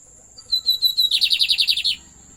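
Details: Pet lined seedeater singing: a few thin, level whistled notes, then a rapid, even run of about ten bright chirped notes lasting under a second, over a steady faint high whine.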